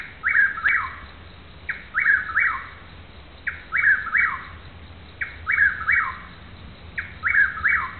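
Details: Chuck-will's-widow heard but not seen in Newton County, Arkansas: five evenly spaced whistled phrases, each a quick pickup note then two drawn-out syllables ending in a downward slur, against quiet background hum.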